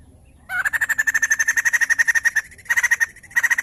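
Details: Loud white-crested laughingthrush song meant to trigger singing in other birds: a long fast series of harsh, evenly repeated notes, followed by two shorter bursts after brief breaks.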